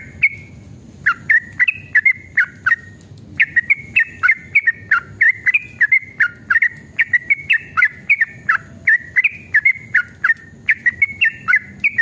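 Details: Fired-up yellow-vented bulbul delivering a long 'ropel' song as a lure for other bulbuls: a near-continuous stream of quick, rising and falling whistled notes with sharp clicks, broken by one early pause.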